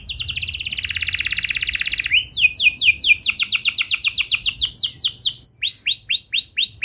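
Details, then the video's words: Canary lure song to get others singing: a dense buzzy trill for two seconds, then rapid downward sweeps, finishing with slower arched whistles repeated about twice a second. "Pancingan Ampuh Buat Kenari Kondisi Apapun! Bakal Langsung Nyaut Ikut GACOR Panjang"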